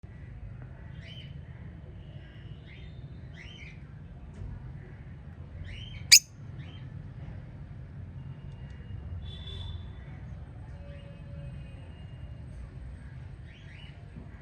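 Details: Five budgerigars give soft, scattered chirps and warbling notes over a low background hum.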